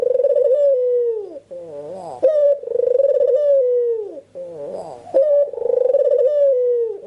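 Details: Spotted dove cooing in a room as bird-luring sound: long drawn descending coos alternate with brief rising bent notes and a bright higher hoot, the pattern repeating about three times.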